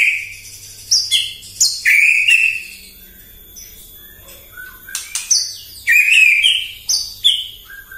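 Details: A White-rumped shama in the morning, excited by a lure recording, sings loud, varied phrases of clear, high whistles, many dropping sharply in pitch, with short pauses between bursts.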